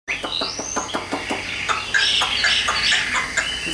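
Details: Caged, hand-tame Chinese hwamei singing. Brief whistled notes, some rising high, over a run of rapid clicking taps, then louder varied warbled phrases.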